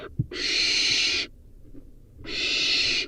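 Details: Nestling barn owl feeding on a rodent gives loud, broad rasping hisses, roughly one second long, with a pause between two calls.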